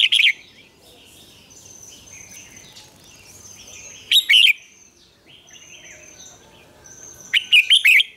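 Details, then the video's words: Morning song of a Red-whiskered bulbul, old wild-style double notes for training: brief loud phrases of a few sharp whistled notes at the start, middle and end, over a constant chorus of softer background birds. "luyện chào mào hót sáng, Ép chào mào hót âm kép già rừng hay tuyệt!"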